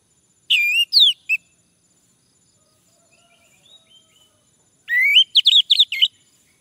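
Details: A male Orange-headed Thrush, heard in a lure recording meant to prompt singing, gives two bursts of rich, fast, sliding whistled phrases separated by a few seconds of soft, faint twittering.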